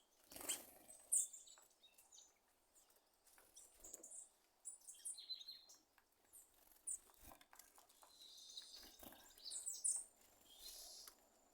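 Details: Thrush (sabiá) making sounds like popping popcorn: irregular bursts of sharp clicks and high chips throughout, some louder pops near the start and around ten seconds.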